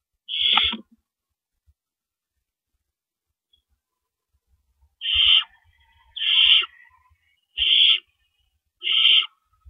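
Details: Owls at a nest before dawn on April 4, 2012, amid rabbit prey deliveries; one harsh screech, a long pause, then four more rasping hisses about a second apart, with faint low bumps.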